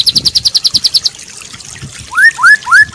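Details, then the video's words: Fast, high pulsed trill from a white-rumped shama training recording with fancy fill-ins, a short pause, then three lower upslurred whistled notes in steady succession. "Masteran Burung Murai Batu full durasi+Isian mewah!!! Cocok buat mencetak burung harian maupun lomba"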